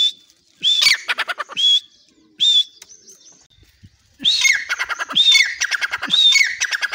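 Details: Grey francolin calling from its cage door in Pakistan. Loud whistled notes come with bursts of rapid grating pulses, then a quiet gap before a longer, busier stretch of repeated shrill whistled phrases.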